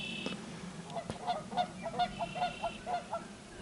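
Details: Spring Wild Turkey gobblers at a distance: a fast, rattling two-second run of throaty gobbles. Several birds, perhaps up to six, seem to gobble over each other, with a faint high whistle alongside.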